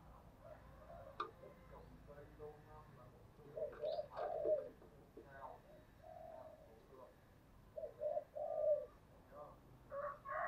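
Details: Spotted dove calling as a lure, cooing phrases in low mellow notes around 500-700, repeated in bursts with pauses, background faint chatter and room noise.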